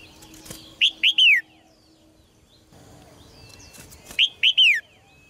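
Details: Red-whiskered bulbul singing in a cage, aimed at making males sing forcefully: a three-note whistled phrase ending in a falling slur, repeated twice about three seconds apart.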